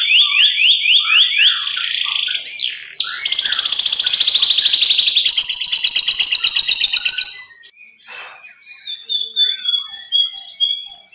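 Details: Canary singing a showy 'cengkok super' song: a run of repeated rising whistles, then a loud fast buzzy trill held for several seconds, a drier rattling trill, and scattered high twittering notes after a short pause.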